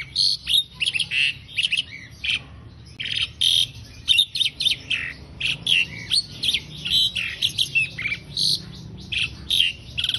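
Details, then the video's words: Asian pied starling song for use as a training recording for songbirds: lively chattering of fast squeaky whistles and harsh notes in quick bursts, with almost no pauses. "Masteran Jalak Suren"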